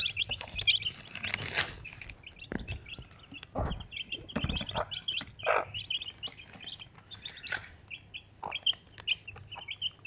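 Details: Desi chicks, four of them beside a mother hen, keep up dense, bright peeping in quick bursts, mixed with scattered scuffing and tapping sounds.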